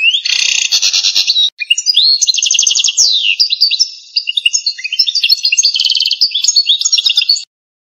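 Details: Algerian goldfinch song in the pépinière style: fast twittering phrases of buzzy trills and rattling notes, a brief pause near one and a half seconds, then varied liquid twitters and rolls, clean and close.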